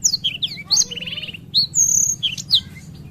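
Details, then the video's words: Rolling ngerol song of a Black-throated canary: fast descending whistled slurs, a short buzzy rattling trill, then a long clear high whistle and more downward swoops, with a low hum underneath. "Burung Blackthroat Ngerol Enak Durasi Panjang"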